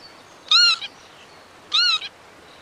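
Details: Two brief, nasal, arching calls of a Northern lapwing about a second apart, each followed by a short softer echoing note.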